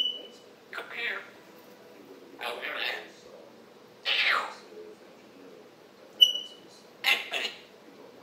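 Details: Captive African grey parrot chattering one morning, July 26, 2021: hissy, speech-like bursts every second or two, with one short pure whistle at the start and another near the end.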